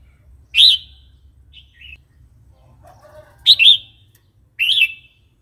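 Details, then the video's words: Three crisp, emphatic whistled bursts from a Red-whiskered bulbul in the wild song style called phleng pa, used for training wild-caught and young birds, with a faint short note and low murmuring calls between them. "เสียงนกกรงหัวจุก เพลงป่า"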